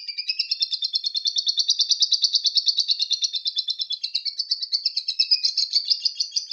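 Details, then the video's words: Long ngekek trill from a lovebird: an unbroken stream of fast, high, buzzy pulses held for the whole stretch, briefly dipping then rising and brightening toward the end, with a clean quiet background. "Love bird paud ngekek"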